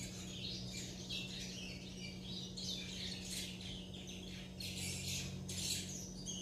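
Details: Young chestnut-bellied seed finches practising their churrio subsong, giving scattered bursts of scratchy, high chirps and twitters with short pauses between, over a steady low electrical hum.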